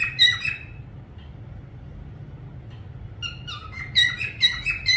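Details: Parrot whistling: a short burst of whistled notes, a long near-silent pause, then a run of loud, clear rising and falling whistles repeated in quick succession, against low background rumble.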